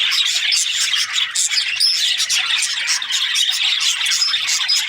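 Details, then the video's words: Budgerigars chattering as a group, steady unbroken mix of scratchy chirps and thin whistled notes from several birds at once. "Australian budgies chirping sounds"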